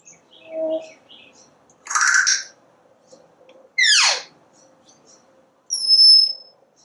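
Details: Parrot on a screened back porch watching squirrels and birds: a low hoot-like note, a rough spoken syllable, a fast descending whistled sweep, then a clear steady high whistle, with quiet gaps between.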